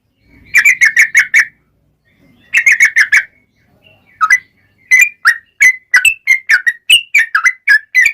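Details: Yellow-vented bulbul song meant as a lure to set other bulbuls singing: two tight bursts of fast chattering notes, then a pause and a steady series of liquid whistled phrases, varied in pitch.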